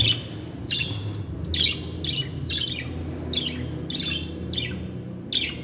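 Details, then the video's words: Pet budgerigars chattering indoors, sharp chirps and squawks repeated about every half second in a steady run, with a low room hum underneath. "KONUŞAN MUHABBET KUŞLARI ÖTME SESİ"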